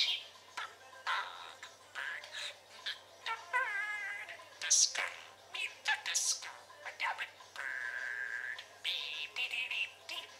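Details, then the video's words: Pet parakeet in its usual chatty mood indoors: fast warbling chatter of short squeaky notes, then a rapid rippling trill near the middle, then more scratchy chirps and one steady buzzy note. "Chatting and Trilling"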